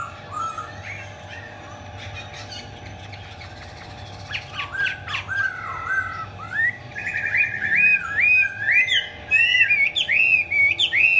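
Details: Chinese hwamei, singing 'hót xòe' with spread tail and eagle-wing display. It opens with quiet scattered notes and clicks, then swells into loud, fast, looping whistled warbles that rise and fall, over a low steady hum.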